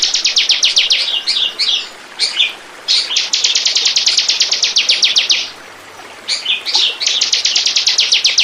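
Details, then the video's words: Bar-winged prinia song in a lure recording used to attract birds: loud, high, rapid bursts of sharp ticking notes, about four a second, broken by short pauses and a few varied chirps. "Burung. burung ciblek pancingan"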